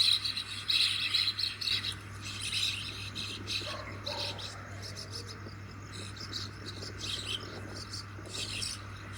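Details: A flock of common mynas chirruping while catching grasshoppers: bursts of high, scratchy chirps crowd the opening seconds, then thin to scattered notes over a steady low electrical hum.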